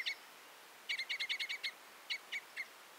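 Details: Common Crossbill, also called Red Crossbill (Loxia curvirostra), a seed-eating finch. A single sharp chip note, then a quick burst of seven hard, clipped notes, then three more spaced chips. The background is otherwise quiet.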